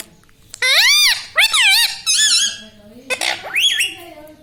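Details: Pet ringneck parrot speaking indoors, producing loud, clear, wavering word-like syllables that swoop up and down in pitch, three main bursts, with a person's low voice heard between them.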